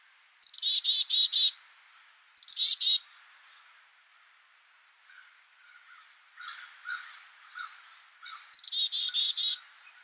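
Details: Black-capped chickadee calling three times, each time with high sliding notes leading into a rapid row of buzzy 'dee' notes. Softer chattering from other birds fills the gaps between calls.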